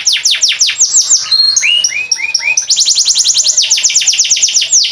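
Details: Indonesian pet canary from Boyolali singing as a tutor for other birds: rapid falling trill notes, then a short series of lower swooping whistles, before resuming bright, evenly spaced high trills.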